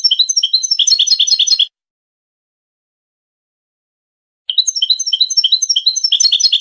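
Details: Goldfinch song: loud, jangling bursts of fast high twittering that last under two seconds, broken by about three seconds of silence.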